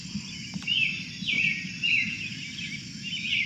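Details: A single Wood Thrush in New Brunswick woods sings a run of flutey, ringing phrases, producing two different songs at once from its two voice-box sides, so notes overlap and trill, over a steady low background hum.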